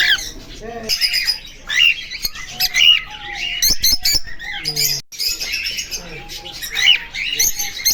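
A cockatiel gives harsh, scratchy chirps and squawks in quick, uneven bursts.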